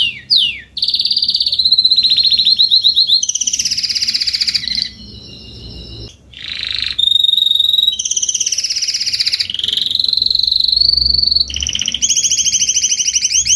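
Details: Adult Spanish Timbrado canary delivering a long salsa-style song: falling whistled notes, extended buzzy and metallic rolls at varying pitch, short quiet breaks, and bright rapid trills.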